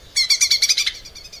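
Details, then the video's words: Lesser green leafbird kept in a cage and singing hard, used as a master recording for training: a quick burst of about eight loud, buzzy, high chattering notes that trails off into softer repeats. "kicau cucak ijo mini gacor buat masteran"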